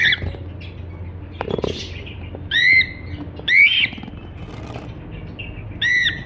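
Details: Cockatiel giving three separate harsh, arched chirps a second or more apart, along with a soft rustle or flutter early on and a steady low hum.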